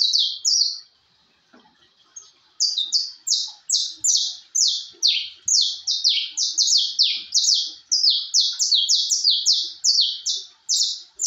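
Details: Singing posture-type canary: long sustained song of bright, high, descending buzzy syllables in quick succession, a short pause early on, then dense unbroken phrases, with little else audible.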